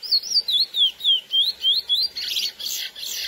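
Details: Sporophila angolensis, the lesser seed finch, in its classic song for exciting females: a fast chain of about eight looping whistled notes, each sliding down then up, ending in a burst of harsher, buzzy, chattering notes.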